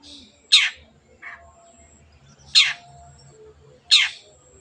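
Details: Long-tailed shrike used as a lure to coax reluctant birds into song: three loud grating notes about 1.5 seconds apart, with a softer note between them and a faint low hum underneath.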